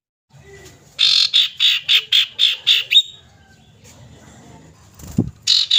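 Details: Female common iora calling a male with seven evenly spaced harsh, buzzy, rasping notes delivered rapidly, then a thump and another harsh burst at the close.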